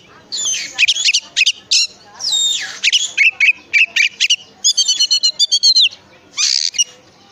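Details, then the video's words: Oriental magpie-robin singing as a prompt for others of its kind: rich jumble of scratchy buzzes, sharp notes and a rapid run of repeated chips, delivered in quick succession. "pancingan suara kacer"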